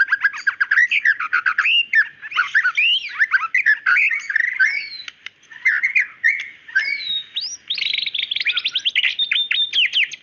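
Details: Female white-rumped shama calling the male, delivering a long varied song of rich slurred whistles, chirps and buzzy phrases with brief pauses, closing in a rapid run of sharp notes.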